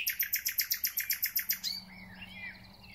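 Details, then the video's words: Spring song of a thrush nightingale: a rapid, evenly spaced run of about eleven loud clicking, ringing notes in under two seconds, followed by quieter warbled whistles fading away. "Słownik Szary koncert na całego to znak że zaczęła się wiosna"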